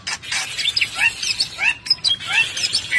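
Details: Bali myna, the white starling called jalak bali, singing: a busy run of sharp chirps and quick upslurred whistles that overlap densely, with harsh buzzy notes scattered through and no clear pauses.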